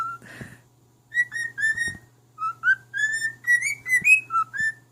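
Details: Male cockatiel kept as a pet sings a melody to his mate: a string of about a dozen clear, evenly paced whistled notes rising and falling like a tune. A soft low hum sits in the background.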